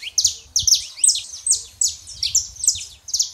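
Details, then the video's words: Male and female saffron finch singing to rouse a quiet canary; continuous, energetic clusters of high, sharp, down-slurred chirps, grouped in phrases about every half second, loud and clear. "canário da terra fêmea e macho pra esquentar seu canário frio"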